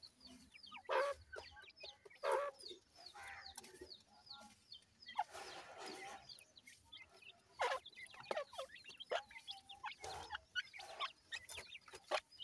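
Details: Captive grey francolin chicks peeping during feeding: bursts of high slurred chirps alternate with loud clacks and scraping noises.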